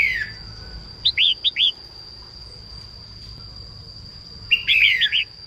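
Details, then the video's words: Female red-whiskered bulbul in morning song meant to stimulate males, giving two short bursts of clear, rapid descending chirps separated by a long pause, with a constant high-pitched tone in the background. "Chim chào mào mái hót sáng kích bổi nhanh ra giọng"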